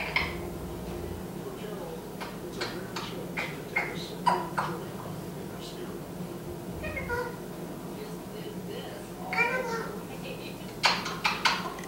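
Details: Indoor pet eclectus parrot, a male foster bird, chatters in bursts: clipped talking-like syllables, sharp clicks and wavering harmonic notes, some in quick clusters, over a low room hum. It talks and whistles when the TV is on.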